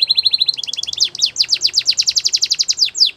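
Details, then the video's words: Canary song used for training young canaries: a loud chain of fast, repeated descending whistled notes, with the phrases shifting from a steady rolling trill to quicker sweeping notes, sung continuously. "Canary Training Singing"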